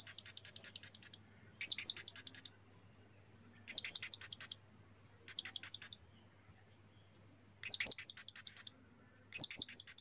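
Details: Blue-crowned hanging parrot calling to companions, a lure recording: shrill, very high, sharp chirps in quick bursts of four to six notes, separated by short silences, repeated six times across the stretch.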